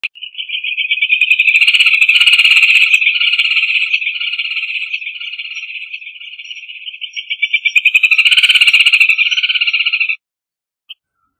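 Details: Rufous hornero song: a long, fast, rattling trill of evenly pulsed notes lasting about ten seconds. Harsher, louder overlapping bursts from a second voice swell in near the start and again near the end, then everything stops abruptly.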